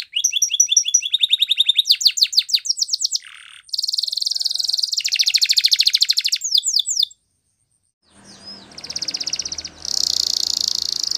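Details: Canary singing a training song of rapid descending whistled notes and dense buzzy rolls. The song breaks off, then a soft rustling background precedes a final loud buzzing trill.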